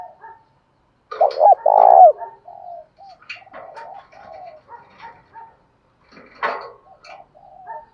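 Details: Spotted dove calls meant to provoke a fight and draw a rival, male and female voices included: one loud stuttered cooing phrase early on, then softer scattered coos mixed with clicks and tapping noises.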